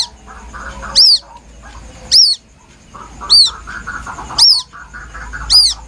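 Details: Lure recording of a White-breasted waterhen chick: five piercing, high peeps, each with a quick rise and fall, about every 1.1 seconds, over a low wash of soft chirping.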